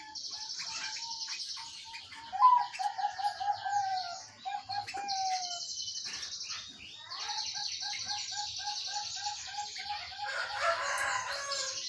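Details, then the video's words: Zebra dove cooing meant to coax a silent caged bird into singing: rapid bursts of short mellow coos repeated in series, among high buzzy insect-like drones and other bird chatter. "burung perkutut anda malas bunyi"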